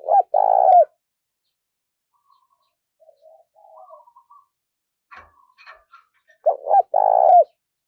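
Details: A decoy spotted dove coos: deep, mellow, throaty coos in two short bursts at the start and end, with faint softer notes and small clicks between.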